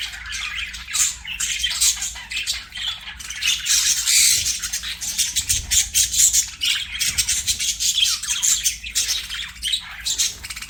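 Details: Continuous budgie chatter: busy, high, scratchy twittering with clicks and squeaks, rising and falling in loudness over about ten seconds.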